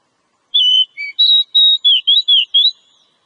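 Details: Wild-type Oriental magpie-robin lure recording: a varied phrase of clear, high whistled notes, some steady and some slurred downward or upward, delivered at a brisk even pace.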